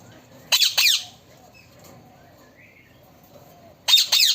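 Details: A talking parrot gives two short, harsh, rasping bursts, each about half a second long with quick downward-sweeping strokes, separated by roughly three seconds of near silence over a faint low background hum.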